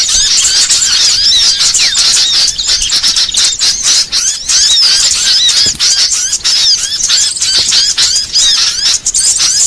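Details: Small songbird (burcil) singing a varied masteran song used to train caged songbirds: dense, high, rapid twittering and chattering notes with sharp slurred whistles, nearly unbroken throughout, loud and close.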